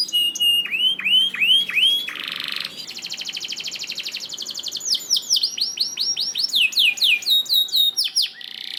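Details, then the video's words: Canary master song to help canaries sing readily: a series of repeated downswept whistles, a buzzy burst, a long rapid trill, then more cascading slurred notes, high and continuous. "MASTERAN KENARI GACOR AUTO RESPON UNTUK KENARI ANDA YANG SUSAH GACOR"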